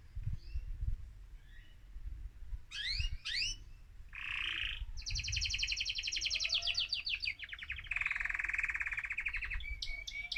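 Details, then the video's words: A male mosaic canary sings excitedly to encourage other birds, with steep rising sweeps, a short buzz, and long rapid trills. The passage finishes with a few brief whistles. "أجمل تغريد ذكر كناري هائج موزاييك لتحفيز طيورك"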